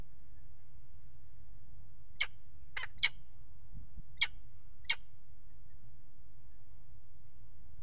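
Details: Peregrine falcon pair mating at a nest ledge, water tower in Axel, Netherlands, 5 February 2018: five sharp, clipped calls, three close together then two spaced, set against a steady low rumble.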